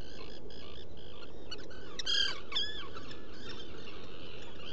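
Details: Inside a nesting burrow on Seal Island NWR, Maine, early on 14 June 2018, a black guillemot utters two loud, high, drooping whistles amid fainter repeated piping notes. Recorded by a burrow camera, with a soft background hiss.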